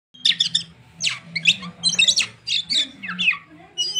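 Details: Oriental magpie-robin, a kacer in lively gacor singing form, gives a rich run of high varied whistles, chirps and sharp squeaky notes in quick bursts with short pauses, with a faint low hum underneath.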